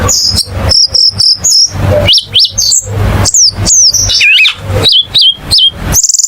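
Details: Singing cucak keling: quick series of high whistles that swoop sharply up and down, repeated in short phrases with a low steady hum in the background.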